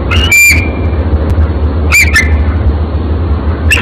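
A bald eagle gives a few brief, shrill squealing notes, a pair near the middle and one at the end, over a steady low rumble.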